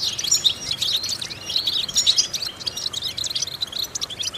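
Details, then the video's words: Training song of a European goldfinch meant to stimulate goldfinches to sing: fast, liquid twittering with sharp high tinkles and brief trills in quick succession, with a slight hiss beneath. "important vocal exercises necessary to stimulate goldfinches"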